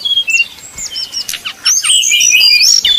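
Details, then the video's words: Brown-chested jungle flycatcher, 'nyuling' song used to provoke rivals: a few thin high whistles, then a burst of fast downward sweeps and bright slurred notes running to the end. "srdc nyuling bikin lawan jadi panas penuh emosi pancingan srdc tercepat bikin srdc cepat ngeplong"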